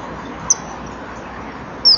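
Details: Common kingfisher (Alcedo atthis) pair at a nesting-wall camera, 17:39 on 18 April 2013, calling to each other before mating: two brief, shrill, high whistled notes about a second and a half apart, over a steady hiss.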